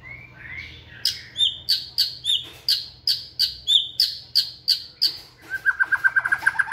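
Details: Caged white-rumped shama singing energetically while exercising in a flight cage: after soft slurred opening notes, a loud series of about a dozen sharp, ringing notes comes roughly three per second, then a quick, lower trill. A faint room hum runs beneath.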